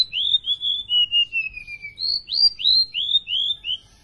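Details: Golden-bellied Gerygone, a lively, tame singer, giving thin, high, sweet whistles: a wavering string that slides steadily downward, then several quick slurred notes pitched higher, about three a second.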